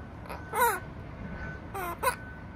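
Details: An opaline monk parakeet indoors gives a few harsh, nasal squawks, one drawn-out and two shorter in a quick pair, over a quiet indoor hum.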